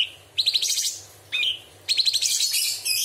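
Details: Cucak cungkok bulbul singing a sharp, varied song used as a training recording for songbirds, with filled-in phrases: a whistled note near the start, then rapid buzzy stuttering note bursts in two bouts.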